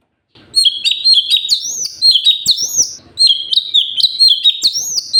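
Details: Sooty-headed bulbul, known locally as cucak cungkok, in lively gacor song meant to teach other cage birds: three bursts of chirpy, clear whistles, each a fast string of rising and falling notes with short pauses between.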